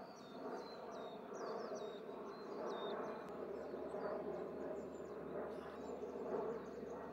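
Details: In late November 2020, a Coal tit gives thin, high calls, short slurred notes every half second or so, over a steady low humming rumble.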